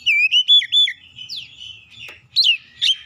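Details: ['Oriental magpie-robin song, a lure meant to make other magpie-robins answer and sing, heard as clear whistled notes: a run of four bright rising and falling whistles, a quieter warbled stretch, then two sharp upslurred phrases.']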